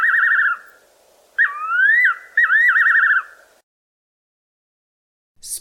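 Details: Fiery-necked Nightjar (Caprimulgus pectoralis), a garden bird of the Eastern Cape, South Africa, calling: clear whistled phrases, a quavering trill, then a rising slurred whistle ending in rapid tremolo notes, over a faint low hum.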